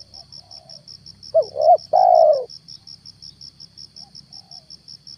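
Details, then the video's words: Spotted dove used as a lure to bring down a wild stammering dove, recorded in the morning: a faint coo, then one clear phrase of two short notes and a long steady coo, over a rapid high-pitched pulse. "PEMIKAT TEKUKUR/DERKUKU/DENAK DI TURUNIN TEKUKUR GAGAP"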